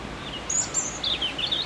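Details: A European robin singing in an apple tree gives a brief, very high, thin phrase that slides into quick tinkling warbles, over faint background hiss.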